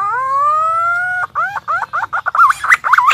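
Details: Pink-necked green pigeon call played to lure birds for hunting: a long steady rising whistled coo, then a series of quick looping wavering notes that grow louder and harsher.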